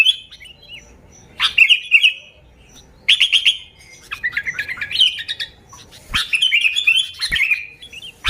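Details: Sooty-headed bulbul song used as a lure for other bulbuls: short bursts of bubbly, warbling notes around a bright mid-high pitch, phrases separated by brief pauses, with a few sharp clicks between them.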